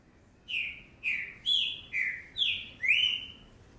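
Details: Fast green-winged saltator song from a 2019 young bird: six strong whistled notes in under three seconds, alternating falling and rising slurs, the last one sweeping upward.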